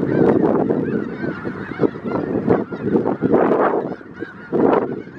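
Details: Around 5000 snow geese in south Grayson County, Texas, in February 2018: a pulsing chorus of honks, with near birds standing out as louder bursts over the constant background murmur of the flock.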